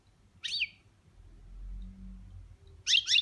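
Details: European goldfinch in the boniments singing style, a pet bird: two brief, bright, slurred twittering bursts about two seconds apart, with a soft low rumble between them.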